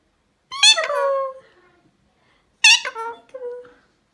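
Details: Loud Indian ringneck parrot calling indoors: two harsh, harmonic squawks about two seconds apart, each fading into a drawn-out, lower, voice-like tail.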